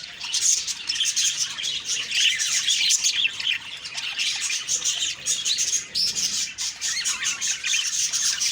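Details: Budgerigars chirping on a morning of October 2, 2023: a dense, continuous flock chatter of high warbles, squeaks and chirps, overlapping without pause and swelling and fading in loudness.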